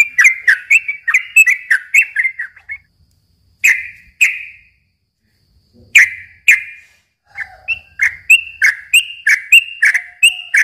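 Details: Lure recording for young birds: a yellow-vented bulbul gives a fast run of bubbly whistles, then a few isolated notes with silent gaps, then another quick string of rising and falling whistled notes.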